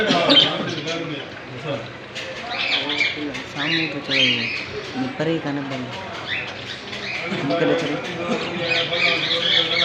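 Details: Small Australian parrots calling together: dense, continuous chattering and warbling with harsh squawks and high chirps throughout, louder bursts near the start and end, and a low, voice-like murmur underneath.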